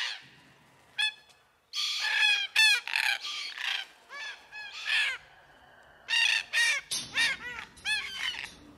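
A cockatoo gives harsh, raspy squawks in quick bursts, several a second at times, loud and grating with a ringing edge.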